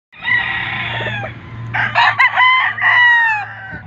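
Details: White Leghorn rooster crowing: a long, drawn-out harmonic crow that breaks into a louder, rougher middle section and ends on a sustained, slightly falling note, over a low steady hum.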